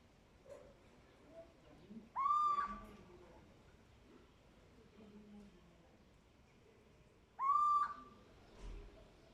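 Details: Little owl giving two loud, drawn-out mewing calls, each starting low and sweeping up to a steady, slightly rising tone of about a second, spaced roughly five seconds apart over a quiet background with faint low sounds.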